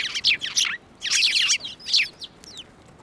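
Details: Several sparrows flying to a hand to be fed at a Tenmangu shrine, 15 March 2024, giving loud overlapping twittering bursts followed by a few thinner chirps.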